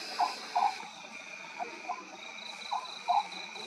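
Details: Oriental scops owl at night: short, low, croaking notes in close pairs, repeated a few times over a steady high insect drone.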